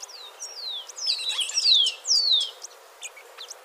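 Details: Crimson topaz: a series of high, thin, downslurred whistled notes, each sliding sharply down in pitch, about five in quick succession, the middle ones loudest, with faint ticks from other birds around them.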